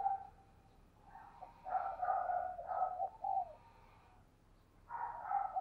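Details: A spotted dove kept as a lure, calling to attract wild doves: soft, low cooing phrases, somewhat distant and mixed with background hiss, with a pause before another coo.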